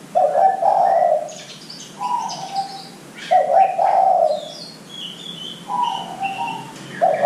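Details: Zebra dove song for luring young birds to call: repeated low burry coos in pairs of short phrases, interspersed with faint high chirps and whistles from other birds.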